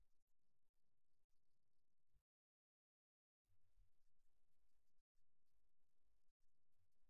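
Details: Muffled low noise cuts in and out, broken by stretches of total silence, with no animal calls.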